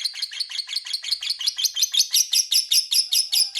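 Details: Lovebird calling in a long ngekek, a lure to set rival lovebirds answering back: a dense, rattling run of shrill chattering notes, roughly three per second, growing louder and sharper toward the end.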